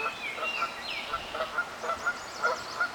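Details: In New York State, a Northern flicker gives short, nasal, mid-pitched notes, about two or three each second, while other birds give thin, higher whistles.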